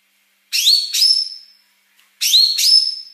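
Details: Female cucak kinoi, or Yellow-wattled bulbul, in quick tutoring song: two doubled phrases of piercing upslurred whistles, each note sliding upward and trailing off, separated by a short silence.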